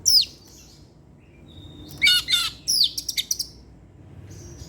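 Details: Caged Oriental magpie-robin singing in the evening: a falling whistle, a long thin steady whistle leading into harsh buzzy notes, then a burst of quick clipped chips.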